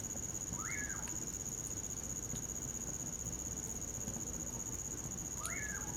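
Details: Winter night song of a common pauraque near a campfire: two clear rising-then-falling whistles about five seconds apart, backed by a constant shrill cricket hum.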